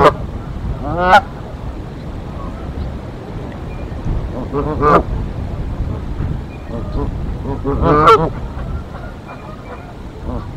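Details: Canada geese at a Decorah nest, 1 April 2024, defending against an intruder goose: three spaced, grating honks over steady low rumbling background noise.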